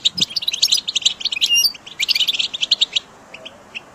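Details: European goldfinch (Carduelis carduelis) song, used for song training: a fast, bright twitter of high tinkling notes in quick bursts for about three seconds, then a few scattered chirps.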